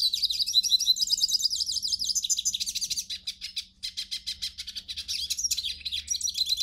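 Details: Hooded siskin with a rapid, high-pitched warbling song, played to encourage a captive bird to sing: rolling buzzy trills give way to sharp repeated chips, around three a second, then more twittering.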